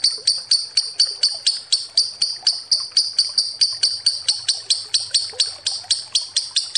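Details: Lovebird's long ngekek chatter, used as a lure, delivered as an even string of sharp, high, rasping notes repeated roughly twice a second without pause.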